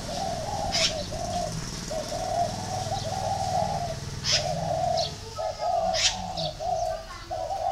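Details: Series of deep, rounded coos from a spotted dove kept in Ba Vi, northern Vietnam, repeated in short bursts while thin high chirps of other birds sound now and then.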